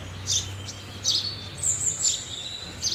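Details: House sparrow chirps: a few sharp, high notes spaced roughly every second, with a thin sustained whistle-like tone partway through and quiet low hum below.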